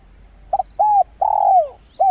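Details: Spotted dove lure call, a short hooked note followed by three soft coos, the third long and falling away in pitch, over a steady high insect hum.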